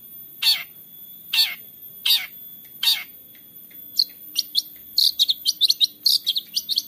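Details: Long-tailed shrike (cendet) song used as a lure to stir a quiet shrike into singing, recorded on an Android phone in Central Java: four harsh, raspy notes about a second apart, then rapid high chips speeding up.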